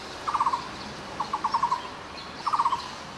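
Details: Taiwan barbet, an endemic Taiwanese woodland bird, calling in short rattling series of hollow mid-pitched notes; three bursts, the middle one slower and longer, with quiet hiss between.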